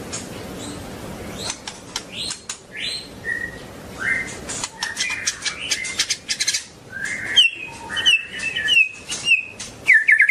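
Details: Long-tailed white-rumped shama: scattered whistles and upward slurs among heavy clicking, with a run of quick repeated high whistled notes near the end.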